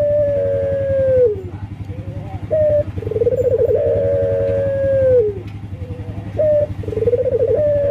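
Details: Male local collared dove in breeding condition calling to females, giving a series of low, steady coos with rolling, trilled phrases and short sliding notes, over a constant low droning hum.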